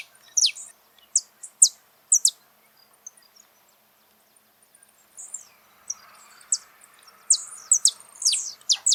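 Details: Saffron finch singing live in the wild, giving bright, high, sharply descending chirps in quick bursts, a quiet pause mid-phrase, then a denser run of chirps near the end over a soft background hiss.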